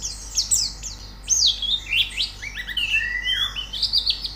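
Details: Rapid high warbling of a white-eye, from audio meant to coax a bird into singing: overlapping slurred whistles and chirps, with a run of falling, longer whistled notes toward the end.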